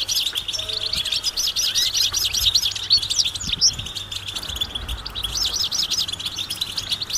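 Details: Group of European goldfinches in open countryside giving mating and readiness calls meant to stir males into song: a dense, continuous high twittering of wavy, rapid notes from many birds at once, with a faint low hum underneath.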